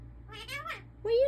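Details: A talking African ringneck (rose-ringed) parakeet mimics human speech such as "hi", "what are you doing" and "peekaboo" in a reedy, nasal voice, with a quick run of syllables and then a rising tone.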